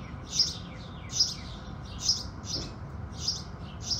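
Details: House sparrows at sunrise in the morning: sharp, high chirps spaced unevenly, roughly one every second, over a steady low hum of background noise.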